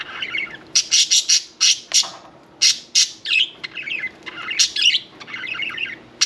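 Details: Pet budgerigars, parakeets, indoors during a bath: loud burst of harsh rapid squawks and clicks, then softer warbling chatter with squeaky notes.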